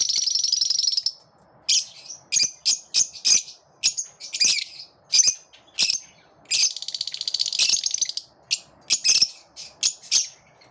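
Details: A flock of lovebirds chattering in chorus: bursts of shrill, buzzy squeaks and rasping trills, broken by short pauses, all high-pitched.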